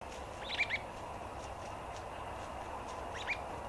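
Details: White-browed babblers foraging in ground-storey leaf litter in Victoria, June 2020. There is a quick pair of short, high chirps, then one more chirp about three seconds later, over a steady low background hiss.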